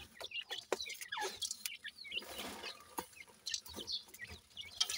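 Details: Thin high cheeps and twitters from a group of Sindhi grey francolin chicks feeding, with frequent sharp clicks of pecking and a soft background hiss.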